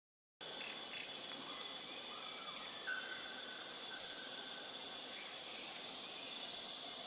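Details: A lekking male Scale-throated Hermit of subspecies eurynome sings at Intervales, Brazil, on 29 December 2019. It gives a thin, very high, squeaky arched note about every half second to one second, seven times in an even series over a faint hiss.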